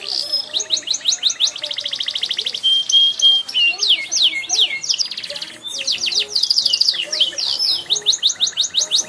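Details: Canary singing vigorously with many variations: fast repeated notes, a flat buzzy trill, falling whistled sweeps and rattles in quick succession, with faint low voices in the background.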